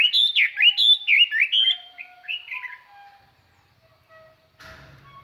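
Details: Lure Chinese hwamei with clear song used to provoke wild birds: two seconds of loud, fluid whistled phrases that fade into softer notes, followed by a faint rustle or knock near the end.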